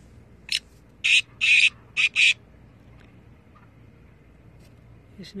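Black francolin giving a harsh, grating phrase of five rasping notes in under two seconds, the middle notes longest, followed by quiet and one faint extra note.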